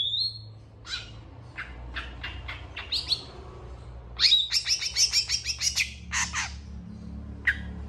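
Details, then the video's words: Long-tailed shrike in full song while responding to other shrikes: a brief whistle, scattered dry clicking notes, then a fast loud burst of bright, harmonic chattering notes, with a soft hum behind. "CENDET FULL TEMBAKAN PANJANG . . PENTET GACOR DOR FULL EMOSI CEPAT DI RESPON CENDET LAIN"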